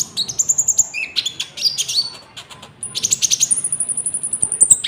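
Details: Golden-bellied gerygone (konin) song with cricket-like fill, for luring wild birds and training caged ones: rapid pulsed high trills, short descending whistles, then a long fast cricket-like trill on one high pitch.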